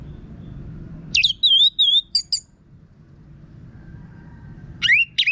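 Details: Harsh-voiced, vigorous song of an orange-headed thrush, played to coax other birds into singing; one phrase of sharp rising slurs into wavering whistled notes, a long pause, then another rising phrase begins.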